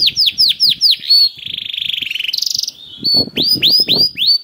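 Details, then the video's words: Canary song meant to spur other canaries into song: repeated sweeping chirps, a buzzy rattling trill, then more loud descending whistled notes with some low background noise. "KENARI GACOR CENGKOK ISTIMEWA #213 || VOICE OF CANARY"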